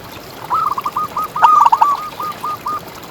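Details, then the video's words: Local zebra dove contest champion singing actively in the ngalas style: one long drawn-out sequence of soft low coos, loudest in the middle as a burst of quick notes, fading into spaced trailing notes. "Perkutut Juara Gacor Ngalas"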